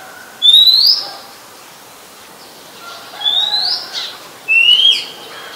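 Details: Oriental magpie-robin, a very common resident, singing at Ubon Ratchathani, Thailand, on 17 July 2021: three clear whistled notes, each a bright rising slur, spaced about two seconds apart, over a quiet background.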